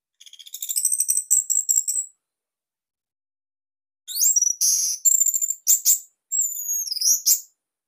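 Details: Bali orange-headed thrush kept in captivity, in a loud, tight song used for training: two bursts of very high, thin, rapid twittering notes separated by a pause, with whistled slides in the second burst.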